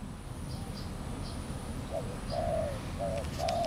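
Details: Wild spotted dove cautiously approaching a decoy during trapping at Valdor, Seberang Perai, on 17 November 2013; a few soft cooing notes begin midway, short low hoots building toward the end over steady rural background hum.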